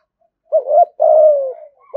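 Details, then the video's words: One phrase of spotted dove 'thúc gù' cooing, used to draw wild doves to a fighting perch. A quick wavering two-part note leads into a long, smooth coo that slides gently down, then another note begins. "cu gáy thúc gù giọng hay hạp bổi nghe nhanh gáy nhanh về cội đấu"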